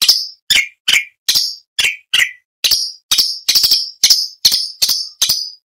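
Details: Orange-bellied leafbird song used as training material for songbirds: a fast series of sharp, clipped notes, each a brief high burst with a trailing sweep, about twelve in under six seconds, clean and loud.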